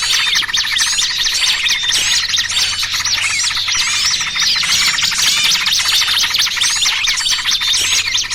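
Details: Small birds in a lure recording for trapping, combining noisy trucukan with burcil kejepit calls: a dense, unbroken chorus of high, rapid chirps and sharp up-down whistled notes overlapping throughout, with a faint low hum underneath.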